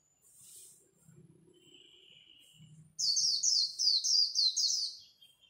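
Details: Competing white-eye at dawn in líu style: after soft murmuring and a faint low rumble, a fast, loud series of high descending chirps, about six notes in quick succession.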